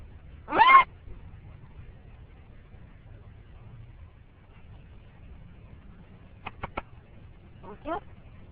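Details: A male green-winged macaw talks while riding in a car in the morning, starting with whispers and growing more vocal: one loud, hoarse, speech-like word, later three sharp clicks and a brief wavering call over a low steady hum.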